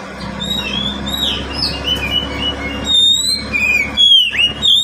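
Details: Caged pet oriental magpie-robin (kacer) singing, played as a lure to make quiet birds sing: varied clear whistled phrases, sliding up and down, louder and sharper toward the end, over a steady low hum.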